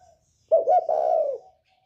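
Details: A spotted dove from the north with a 'còi bổi' voice, played to provoke other birds, gives one throaty coo phrase: two short rising notes, then a long even coo fading downward.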